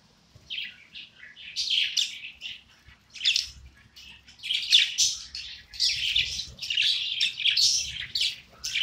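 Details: Pet budgerigar (parakeet) singing happily indoors: continuous chattering warble of scratchy chirps, clicks and short squeaky notes in rapid irregular bursts, pausing briefly around three seconds, no other sounds.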